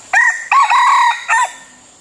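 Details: Decoy red junglefowl used to lure wild birds, crowing close and loud: a sharp short first note, a long strained middle phrase held about half a second, and a short falling final syllable, fading into faint hiss.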